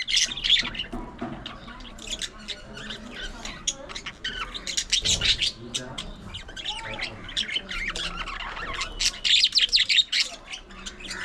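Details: Budgies kept as pets chatter nonstop while they play, fight and groom. The warbling is dense, high and scratchy, with clicks, squeaky notes and harsh bursts throughout.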